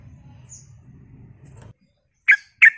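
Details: Sooty-headed bulbul used as a lure to draw responses: a low rumbling background fades out, then two loud, abrupt, slightly burry notes close together.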